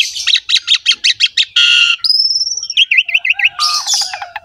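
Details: Master recording of an Asian pied starling for training a quiet captive bird: rapid series of rasping notes, a harsh buzz, a long high whistle, then zigzag notes and scratchy chatter.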